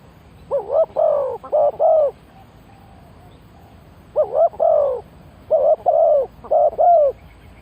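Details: A spotted dove used as a decoy for wild birds gives three clusters of two to four mellow, quavering coos. Silent gaps of about two seconds separate the clusters against faint background noise.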